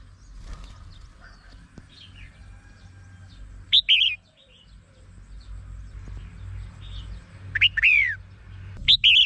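Red-whiskered bulbul giving three short, bright, warbled whistle phrases a few seconds apart, over a low rumble and faint chirps from other birds.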